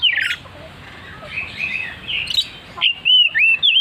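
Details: Oriental magpie-robin singing loudly and persistently: a harsh burst, then clear whistled phrases that slide up and down, delivered in quick separate notes toward the end.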